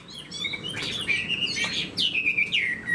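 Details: Chinese hwamei kept as a caged songbird, delivering clear descending whistles and slurred notes in short bursts, with brief chattering elements, in a quiet indoor setting.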